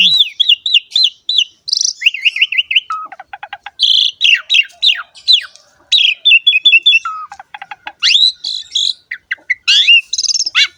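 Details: Singing jalak suren, Asian pied starling, meant to prompt young or quiet starlings into song; repeated wavering whistles, clicking rattles, and abrupt high buzzy phrases in a busy, nonstop stream.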